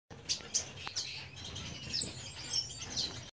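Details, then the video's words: Yellow-bellied waxbills give thin, high, sweet tsee notes and soft twitters, several brief calls scattered over a few seconds against faint background noise. "Yellow bellied swee waxbills"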